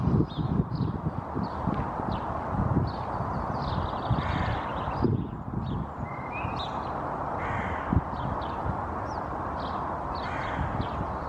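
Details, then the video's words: Hooded Crow gives slightly agitated, harsh caws in the background while a grazing Barnacle Goose pair on a lawn seems to react; Helsinki, Finland, April 2024; steady low rumble of wind or distant traffic. "Hooded Crow's (Corvus corone cornix) slightly agitated calls that can be heard in the background"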